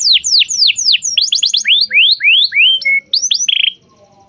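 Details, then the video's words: Canary singing as a lure for a young learner: a series of separate slurred notes, some falling and some rising, with a quick burst of repeated notes, a pure tone, and a buzz before it stops. "kenari gacor panjang Cuit Cuit EMOSI, Pancingan Kenari Paud Belajar Bunyi"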